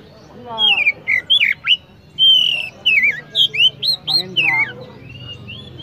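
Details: A vigorously singing Oriental magpie-robin (kacer) delivers a lively run of clear whistles, swooping slurs and short chirps, with brief gaps between notes. A faint low hum is in the background.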